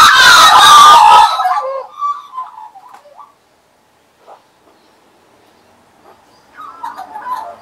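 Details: Australian magpies visiting and perching on a person in 2015. The clip opens with a loud, harsh, rasping outburst, followed by soft, scattered warbled phrases separated by long near-silent gaps.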